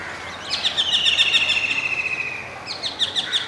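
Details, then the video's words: Indian golden oriole, adult male singing, seen from a window at Masab Tank, Hyderabad, with a juvenile and two females nearby; a bright, rapidly pulsed chattering phrase holds a steady high pitch for about two seconds, then restarts briefly. "Golden orioles - Adult male with song"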